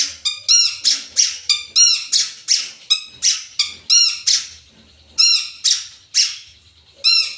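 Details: Long-tailed shrike singing a full, varied song: a rapid run of harsh, squawky, high-pitched notes, each a broad buzzy burst, repeated roughly every half second with a brief pause near the end.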